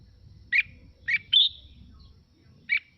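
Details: Song of a red-whiskered bulbul, meant to excite other birds into singing: two short chirps, a longer rising whistled note, then a lone chirp after a gap, with soft low background noise.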